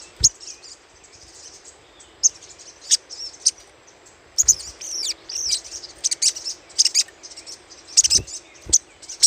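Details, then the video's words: Little spiderhunter chattering, used as a lure: bursts of very high, sharp chit notes, some closely bunched and some single, spaced irregularly over a faint steady hiss. "PANCINGAN SUARA CRECETAN SOGOK ONTONG"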